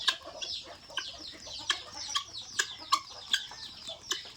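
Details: Guineafowl eating in Assam, giving steady high scratchy chattering from many birds, punctuated by loud sharp clicks about every half second.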